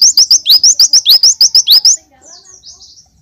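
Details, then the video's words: Oriental white-eye delivering a tembakan glatik full song: a two-second volley of fast, piercing, high-pitched chirps in even succession, followed by faint thin twittering as the burst ends. "Pleci tembakan Glatik Full"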